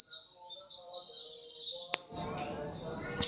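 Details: High, chattering, continuous warble from a little spiderhunter (sogok ontong) for about two seconds, rolling notes run together, then quieter background with a sharp click.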